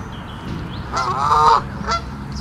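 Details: Goose in Central Park by a lake, one of a pair guarding grown goslings and anxious over other geese on the lake; one loud harmonic honk lasting about half a second, then a shorter fainter honk, over low city rumble.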